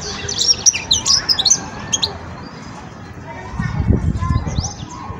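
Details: European goldfinch, a juvenile in the stage of forming its song, gives a run of quick, high, scratchy twitters and chirps in the opening seconds. Low murmuring noise follows later.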